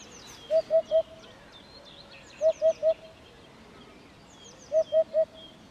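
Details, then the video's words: A Eurasian hoopoe (hudhud), recorded close up, gives soft, low, hollow triple hoots, 'oop-oop-oop', about every two seconds, with faint high chirps from other birds in the background. "EURASIAN HOOPOE (HUDHUD) BIRD SOUND"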